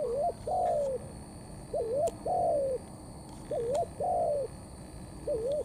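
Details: Young spotted dove giving the "thổ" coo style mixed with "cấn sấm": a short wavering double note followed by a longer, smooth, falling coo, the phrase repeated about every one and a half seconds with little background.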